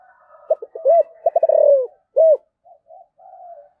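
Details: Spotted dove with the 'giọng thổ' voice style, calling: low, hollow coos. Two short notes and a rapid stuttered run lead into a drawn-out falling coo, then one strong coo and soft trailing notes.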